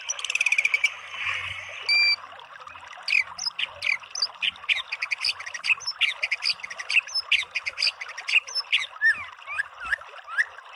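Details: White-rumped shama singing a dense, rich medley: a harsh buzzy opening, then rapid sharp chips, whistled slurs and chattering notes poured out almost without pause.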